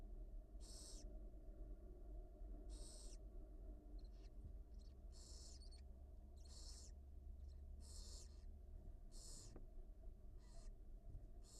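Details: Hungry barn owl owlets in a wild nest at the University of Florida, begging during a feeding by their mother on a nest cam. Quiet, rasping hiss-screeches repeat roughly every second, with a constant low electrical drone underneath.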